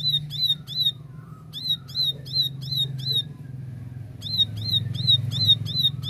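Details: Plain prinia song in 'tembakan' style: three short bursts of bright, buzzy hooked notes, each burst of three to seven notes roughly three per second, separated by quiet pauses over a constant low hum.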